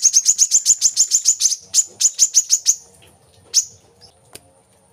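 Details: Kolibri kelapa, or brown-throated sunbird, played to coax kept birds into song. A brisk string of high, piercing chirps slows into spaced notes and stops near three seconds, leaving one late chirp and a faint click.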